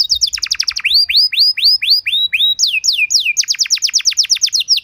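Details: Canary master song meant to train other canaries; quick falling notes, then a slower series of upward-arching whistles, followed by more rapid descending whistles.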